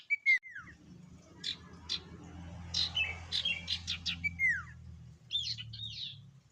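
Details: Sirtu lure song: clear whistles that slide downward, bursts of rapid chirps, and twittering phrases near the end, over a continuous low hum.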